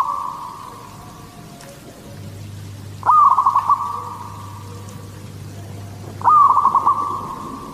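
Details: Zebra dove, a local bird in full song in the Katuranggan Cendolo Sabdo style, for luring other zebra doves: repeated phrases of a bright first coo followed by rapid stuttering notes and a long fading tail, about every three seconds.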